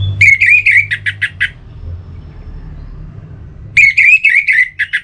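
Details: Orange-headed thrush song used to stimulate singing: two similar phrases about three seconds apart, each a warbled whistle run followed by four short, harsh, evenly spaced notes, over a low rumble.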